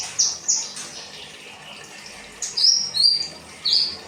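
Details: Kinoi song used as training material for cage birds: scattered high, thin whistled notes and short slurred phrases separated by pauses, over a faint hiss.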